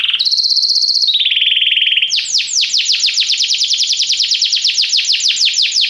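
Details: Canary song for training: a high, steady, fast trill shifting down in pitch, followed by a long series of broad, loud, rapidly repeated down-slurred notes.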